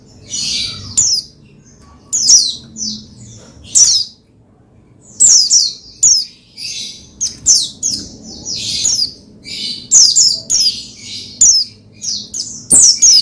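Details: Oriental white-eye (pleci) singing to prompt another pleci to sing: a long run of high, rapid, scratchy twittering phrases of falling notes, packed closely together, about forty bursts a minute.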